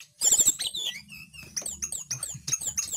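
A Sunda blue robin sings a fast, varied run of high whistles, chirps and short trills, each phrase sliding or stepping in pitch, over a faint low hum.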